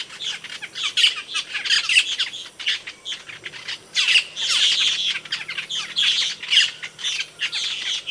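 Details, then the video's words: Asian glossy starling, an Indonesian songbird valued for its loud, sharp voice and used to train other birds, producing harsh squawks mixed with ringing high whistled notes in uneven bursts. "Suara Kicauan Burung Cucak Keling, Panggilan"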